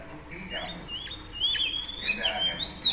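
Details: Female oriental magpie-robin singing to stimulate a male: clear, high whistled notes, some sliding up and down, others sharply rising, delivered in a quick varied string over a steady background hiss.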